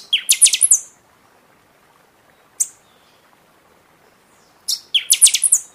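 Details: Song of a buffy-fronted seedeater in the singing season, meant to excite other birds after their moult: two fast bursts of about six loud, bright, metallic notes, separated by one lone sharp note, with a quiet background.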